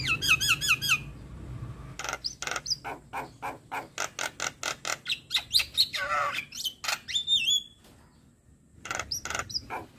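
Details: Javan myna singing as a model for young mynas: a quick series of rhythmic rasping pulses about three per second, twisting whistles, then a short silence and more harsh notes.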